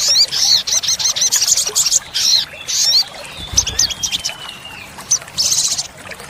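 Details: Olive-backed sunbird 'isian tembakan' song meant for teaching caged birds: rapid, high, scratchy twitter phrases in quick succession, a pause with a faint falling whistle, then another buzzy burst.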